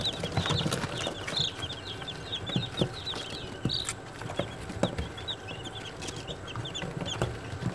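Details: Newly hatched Australorp chicks, one day old, giving a constant stream of shrill short peeps, a few louder rounder calls standing out, with low hum and sharp knocking sounds.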